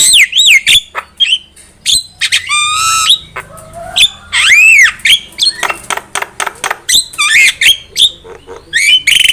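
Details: Lure recording of a Javan myna, loud and busy: whistled descending notes, harsh harmonic squawks, arched whistles and fast broadband chattering clicks, mixed in irregular bursts with short gaps.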